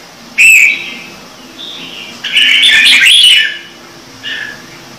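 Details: Red-whiskered bulbul with standard-voice song for prompting newly caught birds. A sharp whistled note opens, then a dense, chattering burst of mixed whistles lasting about a second, and a soft final note.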